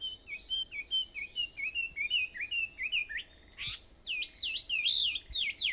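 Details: Wild birds singing on Aobayama, Sendai, at 4:30 in the morning on 21 July 2014: a rapid series of short whistled notes repeated about twice a second, followed by louder, higher swooping phrases, with a faint steady hiss behind.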